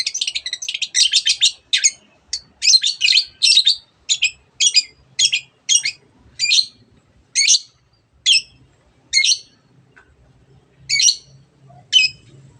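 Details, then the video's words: Rapid harsh chattering from a long-tailed shrike, blending imitations of other birds, starting as a dense run of scratchy notes and slowing to spaced rasping calls about every second, with a faint low hum behind. "cendet gacor masteran untuk burung yang susah bunyi banyak varian suara burung lainya"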